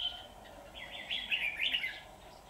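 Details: Red-whiskered bulbul used as a decoy while trapping on 23 September 2019, singing at wild rivals; one short, rich, bubbling warbled phrase, rising and falling, after a brief high opening note.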